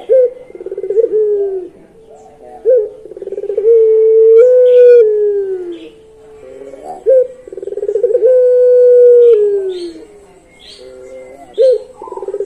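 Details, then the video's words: Puter pelung (Barbary dove), a long-voice type whose song is called very melodious. Two long cooing phrases, each opening with a rough rolling burst, then a drawn-out smooth tone that swells and slides downward. Quiet pauses separate them. "Merdunya Puter Pelung Suara Panjang"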